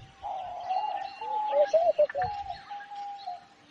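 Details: Short sequence of a homing pigeon: several quick rolling coo pulses over a steady humming tone, with faint tweeting of other birds in the trees.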